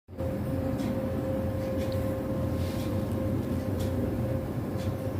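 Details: Steady low rumble of a vehicle or train with a faint constant hum, and no animal voice.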